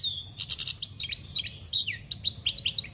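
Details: A European goldfinch sings campero song in 2021, a quick tumbling phrase of sweet, high chirps and sliding twitters, one falling note near the end, all crisp against a faint low hum.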